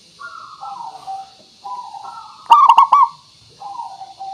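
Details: Zebra dove used as a lure to make birds sing; a local bird with a clear, crystal-toned voice. Several soft, stepped coos lead into a loud, rapid, rolling triple coo, then gentler coos resume. Steady hiss throughout.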